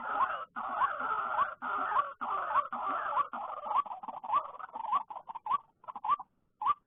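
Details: After rain, when many white-breasted waterhens come out, especially late afternoon, during trapping: a steady run of rising nasal notes roughly twice per second, first over dense raspy chatter, then thinning to clear, separate calls.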